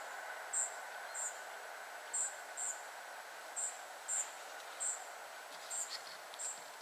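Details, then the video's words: Several spotted flycatchers of one family uttering crisp, very high, short notes, sometimes doubled, spaced irregularly through the stretch, with a continuous broad rushing noise underneath. "Family of spotted flycatchers / Rodzina muchołówek szarych"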